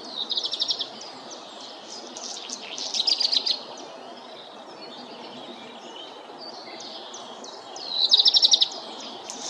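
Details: Black redstart (Phoenicurus ochruros) sings three short, high phrases of scratchy, crackling notes spaced a few seconds apart, over a steady low background hiss.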